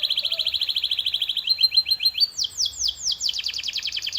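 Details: Canary training sound: a very rapid, even rolling trill that shifts into slower, louder downward-sweeping notes, then a fast rattling series.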